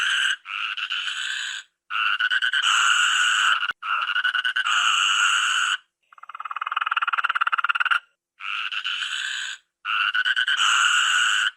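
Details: Toucan calling: long, harsh, nasal, buzzy blasts of about one to two seconds, separated by short silences. Midway comes a rapid rattling, croaking series that swells in loudness. No other sounds stand out.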